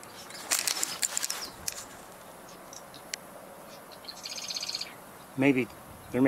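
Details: A Marsh Wren, unseen in a marsh near wood ducks, gives a quick, buzzy, rattling trill lasting under a second, high-pitched and mechanical, with scattered clicks before it and a man's voice after.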